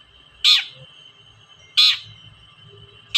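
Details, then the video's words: Toet-toet lure call of a long-tailed shrike, used to stir silent shrikes to sing: loud, scratchy bursts repeating roughly every 1.3 seconds, set against a continuous thin high tone and soft low background noise. "TOET-TOET CENDET GACOR DONGKAK EMOSI CENDET SUSAH BUNYI || PANCINGAN BURUNG CENDET"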